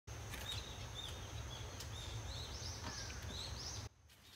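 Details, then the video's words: Six swallow chicks, six days after hatching, in a nest at a rural house entrance during a second brood, beg as the parents return to feed them: a burst of high, thin rising chirps overlapping near the end, over a steady low hum. "Swallow Parents feeding to their 6 chicks"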